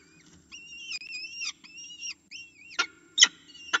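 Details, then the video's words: Falcon at a nest watched by camera, calling to be fed: drawn-out, whining, harmonic cries that rise then level off, given in a run of four or five, mixed with sharp clicking knocks near the end. "FalconCam Project - 叫起來餵食"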